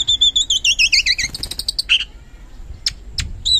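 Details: Lively oriental magpie-robin (kacer) song used as a lure to provoke reluctant birds into singing: a fast train of high, paired whistled notes, about three and a half per second, dipping lower toward the end, then a buzzy note and sharp chips.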